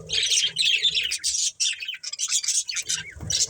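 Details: Pet budgies in a family group chirping: a steady, scratchy, high twittering warble with quick buzzy notes and brief breaks.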